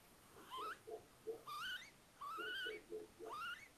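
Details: Little owls nesting in a house attic at Tiszalök, Hungary, close to Hortobágy National Park, as eggs hatch into four owlets, May 3, 2022. Rising whistled calls mixed with short, lower clucking notes in quick succession.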